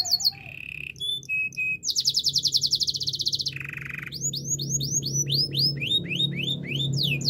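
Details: Singing Yorkshire canary in a training song: varied short phrases, a long rapid throbbing trill, a lower buzzy stretch, then loud repeated curving whistled sweeps, with a low hum beneath.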